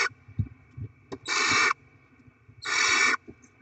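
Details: Barn owl nest, 7 February 2024, during feeding of the young with delivered rodents: two long, rasping hiss-screeches, each about half a second, separated by a quiet pause with soft low knocks.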